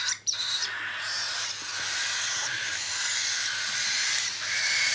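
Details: During hand feeding, a cockatiel gives a sustained wheezy, rasping begging sound that swells and wavers, starting after a short sharp burst.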